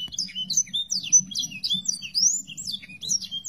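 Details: Sanger song used as a master recording to teach songbirds: quick tumbling series of high whistles and chirps, slurred up and down, nearly unbroken, over a faint low hum.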